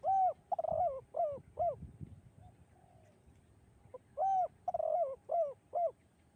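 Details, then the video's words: Melodious echoing song of a spotted dove in the 'kuk 2' style. Two phrases, each of a rounded coo, a rolling trilled coo and two falling coos. Brief low knocking is heard between them. "bergema suara tekukur kuk 2 dan mengalunkan 2 irama merdu mendayu"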